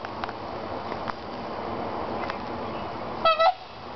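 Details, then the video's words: Tundra swans living in a nature park call; one gives a brief, horn-like double hoot near the end, with fainter distant calls earlier over a steady rushing background noise. "Tundra swans mimicking and making noise."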